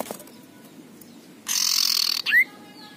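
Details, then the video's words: Single coarse ngekrek rasp of a belligerent male common iora, about three quarters of a second long, then a sharp whistle sweeping upward. "pancingan cipoh jantan galak ngekrek suara kasar"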